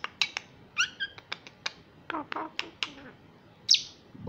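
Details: Young female common myna in Israel, a wild bird raised by people after falling from the nest, during an early Hebrew-speaking lesson: sharp clicks and brief chirps with several short harmonic notes, ending in a bright upslurred squeak.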